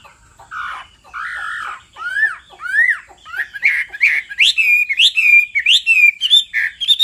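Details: Hwamei song prompted by a female's repeated calls: mellow rounded notes, then rising and falling whistled slurs that grow faster and higher into a lively chain of looping phrases.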